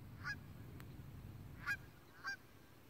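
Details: Canada geese, a flock of about 100 in a field in front of a house on an alpaca farm on a snowy morning; three short, nasal honks, spaced irregularly across three seconds, over a steady low rumble.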